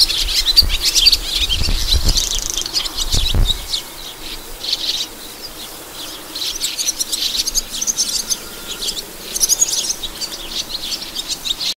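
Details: Sand martins singing: dry, scratchy twittering in quick broken bursts, several birds chattering over one another, with low rumbling thumps in the first few seconds.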